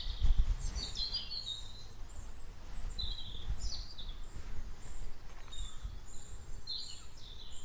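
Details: Pentecost Sunday morning, 31 May 2020, about 10:30, at the green hill by the Martinskirche, Hannover-Linden, Germany. High, thin chirps and brief twittering phrases from several birds come in bursts above a constant low background hum. Recorded on a handheld recorder.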